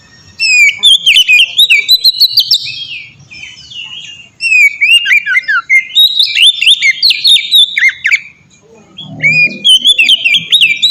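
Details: Melodious 'ngeplong' song of an oriental magpie-robin (kacer), used as a lure to make birds sing: rapid, varied whistles, trills and chips in long bursts with short gaps, a faint low murmur near the end.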